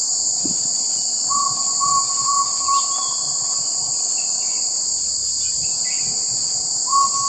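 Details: Barred jungle owlet giving a quick series of five or so short, identical hoots, then a single note near the end, all set against constant shrill buzzing of insects.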